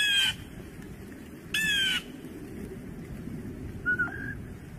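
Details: Two strident, buzzy screeches from a blue jay (Cyanocitta cristata) about one and a half seconds apart, then a short soft whistled note, over steady low rumbling background noise.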